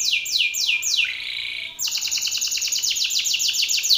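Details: Loud song of a male Belgian canary facing another male: a series of falling whistled sweeps, a brief level buzz, then a dense rapid trill of short repeated notes.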